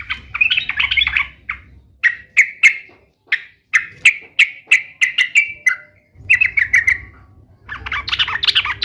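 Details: 'Gacor' sooty-headed bulbul (trucuk), played to make other bulbuls respond: a chattering phrase, then a series of short, clear, downslurred whistled notes about every half second, ending in another busy burst.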